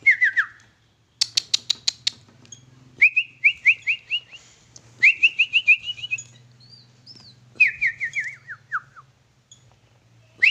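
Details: Home-kept sooty-headed bulbul singing bright whistled phrases, runs of quick descending slurred notes repeated in bursts with short pauses, over a faint low hum.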